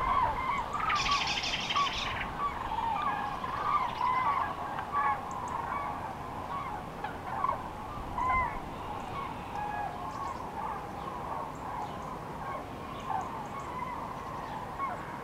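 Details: Common cranes on spring migration over central France, 5 March 2016, afternoon, many flocks broken up by bad weather; distant overlapping trumpeting calls from a flock, repeated irregularly, over steady wind roar with a brief harsh burst early on.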